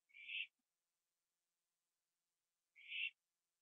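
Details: Owl at night, 11:15 PM on 21 September 2011, feeding on a gopher on a porch. Two short, harsh, hissing rasps about two and a half seconds apart, each lasting about a third of a second, with silence between.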